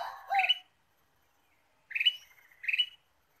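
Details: Ruby-throated bulbul lure song, used to attract birds for trapping. It opens with a lower fluty warble, then after a pause comes two bright rising whistled phrases linked by a thin drawn-out note, all in silence.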